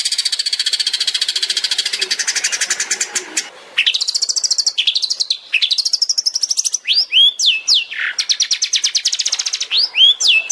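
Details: Long-tailed shrike master song for training songbirds, tembakan style: a sustained rapid rattle giving way to arching whistled notes, sharp swooping phrases and further fast rattles, loud and dense.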